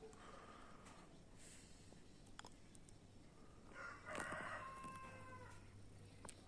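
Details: Cockerel crowing like an alarm, heard faintly: a single harmonic crow near the end rises and fades, under a constant low hum with scattered clicks and knocks.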